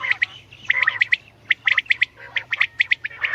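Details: Common quail calling: short sharp notes in quick clusters of two or three, repeated at an uneven pace with brief gaps, among other overlapping chirps.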